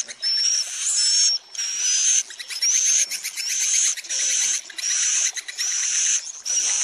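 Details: Swiftlets calling, a sound played to bring them to roost in a building. Regular bursts of shrill, hissing chatter, each carrying a high rising whistle, separated by short silent gaps.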